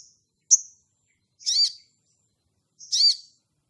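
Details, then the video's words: Crimson sunbird, ngleper style, calling to a rival, used to excite other birds: one thin high chip followed by two harsh, arched, buzzy notes about a second and a half apart, in an otherwise silent background. "SOGON GACOR NGLEPER MEMANGGIL LAWAN"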